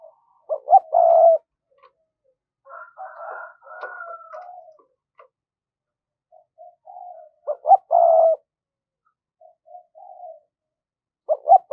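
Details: Spotted dove on a decoy stand, calling in the thổ voice to attract wild doves: clusters of rapid short coos ending in a longer coo, separated by quieter, softer notes.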